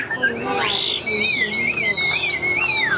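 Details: Tame caged Chinese hwamei, newly arrived, singing loudly: a clear whistled phrase that sweeps up and down in wavy slides, sustained and ringing, with a faint second whistled line above.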